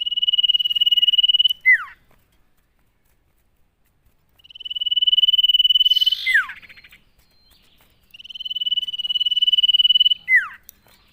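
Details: Common iora in full song, used as a lure to set other ioras singing: three long trilled whistles on a level pitch, each closing with a quick descending slur, separated by pauses of about a second.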